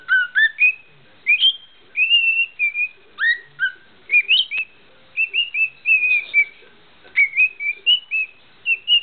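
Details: A pet cockatiel whistles the tune "Bridge over the River Kwai" in clear, sliding notes and short melodic phrases, showing off.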